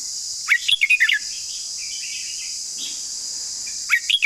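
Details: Long song of a red-whiskered bulbul: a burst of rapid, bubbly whistled notes, then a quieter pause with soft notes and a steady high hiss, before a fresh warbling phrase starts near the end.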